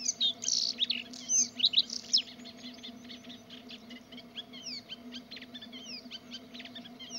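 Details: Bluethroat in song: loud, jumbled high twittering with sharp squeaks for the first two seconds, then a dense run of scratchy, rapidly varied notes and upward-sliding chirps, steady low hum throughout.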